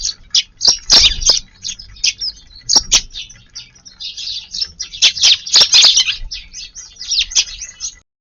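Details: Eurasian tree sparrows gathered in a garden around lunchtime on March 13, arriving from a new direction: continuous busy chatter of sharp, high chirps from several birds, rising and falling in loudness, ending abruptly.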